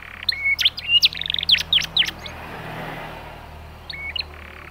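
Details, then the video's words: Canary chirping, used as a prompt to get young canaries to sing: a burst of quick high sweeping chirps and short whistled notes over about two seconds, then quiet before two more brief chirps, with a steady low hum behind. "cui cuit, pancingan kenari paud"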